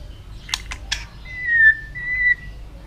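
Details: White-rumped shama in song training: a few sharp clicks, then two long, steady, level whistles, the first swelling and the second slightly rising at its end.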